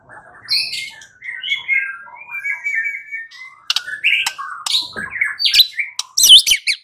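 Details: White-rumped shama song played as a lure for another bird to sing back: jumbled buzzy and whistled phrases, some long slurs, sharp clicks and a high burst at the end.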